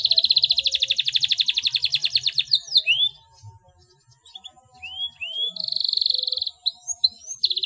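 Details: Canary song with rapid rolling trills lasting several seconds, broken by upward-swooping whistles and a short quiet gap, then a second high fast roll and more slurred notes.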